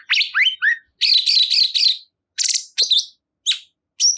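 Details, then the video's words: Cungkok bulbul song in quick succession: a few twisting whistled notes, a long buzzy rattling phrase, then scattered sharp chirps and a thin high note at the end. "Cungkok Kurang Emosi !! Silahkan Putar Dijamin Burung Cungkok Anda Langsung Ikut Gacor"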